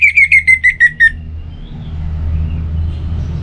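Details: Orange-headed thrush song used as a morning and evening lure to get other birds singing: seven loud whistled notes, each slurring down, in quick succession over one second, then a low steady rumble of background noise.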